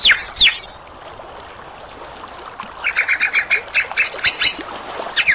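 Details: Superb lyrebird song with mimicry: two sharp sweeping notes open, then after a short pause comes a steady run of rasping pulses, about four per second.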